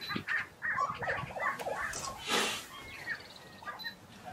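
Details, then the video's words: At a Colorado lek in April 2023, displaying grouse give a string of quick, rough cackling notes that fade into the background, and a burst of rushing noise follows partway through. "Grouse leks Colorado Apr 2023"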